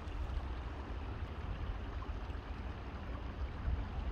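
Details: Low rumbling water and wave-like wash fill the recording, with no animal calls heard.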